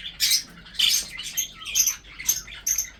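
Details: Captive breeding budgerigars give quick scratchy chirps and squawks, a few short sharp notes spaced through the moment, with one brief whistled note in the middle.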